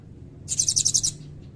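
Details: Blue-crowned hanging parrot giving a brief piercing trill of about seven quick buzzy pulses, part of its loud song with cililin fill, with soft low hum behind.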